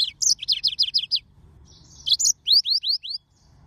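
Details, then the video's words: A Yellow-fronted Canary (Mozambique serin) sings bright, high, rapid trills of sweet rising notes, a run of about six, then a pause, then another burst of upslurred whistles. "طائر الياسمين الموزمبيقي serin mozambique"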